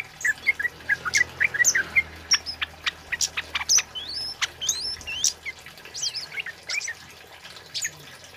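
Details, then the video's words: Loud male kemade (flowerpecker), recorded as a lure and tutor: a run of very high, thin, clicking ticks followed by rapid squeaky notes that bend upward and down, with a slight hiss in the background. "Suara Burung Kemade Cit Keres Gacor Jantan"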